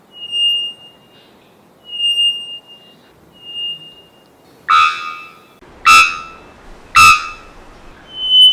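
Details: Three-wattled Bellbird, a species of Central America's mountainous regions: three thin, pure whistles, then three loud explosive bonks about a second apart, each ringing with metallic overtones.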